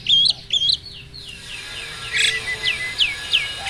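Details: Breeding-condition male Asian pied starling pumping as it sings: loud double whistled phrases at the start, then a run of quieter descending slurred notes repeated roughly every half second.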